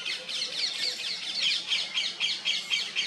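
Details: Paradise flycatcher building a nest at Agra in June 2021, giving harsh, rasping high notes, about four a second in an uneven series, with faint background chatter.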